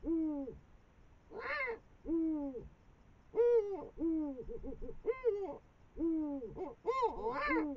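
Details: Eurasian eagle-owls, a female and a male, above the Moselle valley while eating a brown rat at 5 am on 21 March 2022. Tonal, arched calls rise then fall and repeat roughly every second, some overlapping, with a few short clipped notes between.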